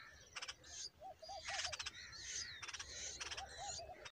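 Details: Bulbul babies being fed a huge worm, giving short bursts of rapid harsh begging pulses several times, amid chirping and whistled notes from other birds and soft repeated low cooing in the background.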